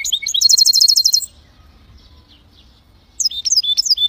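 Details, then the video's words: Goldfinch × canary hybrid singing, opening with a fast, high trill of rapid repeated notes, then a pause of almost two seconds, then resuming with sharp, twittering high phrases. Nothing else clearly heard. "هجين طائر الحسون والكناري روعة"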